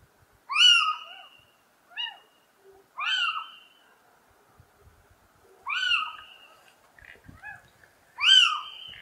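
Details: [3, 'Little owl (Athene noctua) calling with loud, harsh, arched mewing notes that rise then fall, five in nine seconds at irregular spacing, over a quiet background.']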